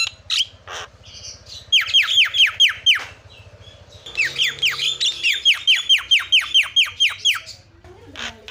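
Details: Javan myna calling as a lure to make other mynas respond: scattered squawks, then two rapid runs of downslurred whistled notes, about two per second.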